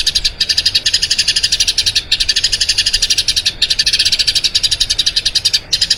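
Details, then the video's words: Eurasian tree sparrow singing a long rolling song, used as a training recording for other birds: rapid high chirping in bursts of about one to two seconds, split by very short pauses. "Masteran Burung Gereja Ngerol Panjang"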